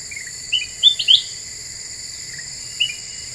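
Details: Black-winged bulbul lure song meant to rile other birds: a few sharp, clear chirps, two loud ones close together, then a softer note, set against a continuous high cricket hum.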